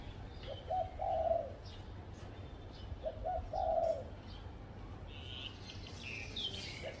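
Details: Spotted dove perched on a tree at a home, cooing: two short low coo phrases about two seconds apart, each a quick double note then a longer one, over a steady low hum, with faint chirps of small birds.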